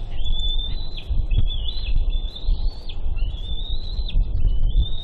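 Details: Bald eagle eaglet at the Big Bear nest on its fledge day, 31 May 2022, squeeing excitedly as the father flies in with a fish. Thin, high whistled squeals slur and step in pitch almost without a break, over heavy low rumbling wind noise.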